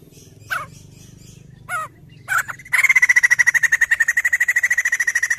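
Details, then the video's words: A White-crested laughingthrush, used as a lure to prompt others to sing, gives three harsh, scratchy notes, then a fast, even rattle of about ten sharp chips a second, with a low hum underneath. "BUNYI POKSAY JAMBUL NGETEM"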